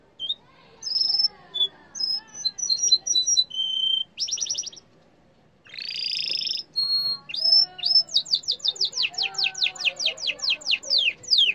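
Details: Yellow canary in full song, loud and continuous: varied whistled notes, a fast buzzy trill, a harsh rolled burst, then a long run of rapid rising chips repeated about three per second.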